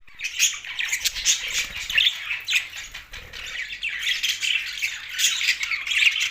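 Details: Two pet male budgies chattering, a dense run of scratchy, high chirps and squawky notes overlapping almost without pause across the clip.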